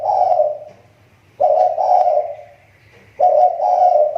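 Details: Lure spotted dove whose voice is coming back: three bursts of husky cooing, each pair of notes followed by a pause, with a faint low buzz underneath.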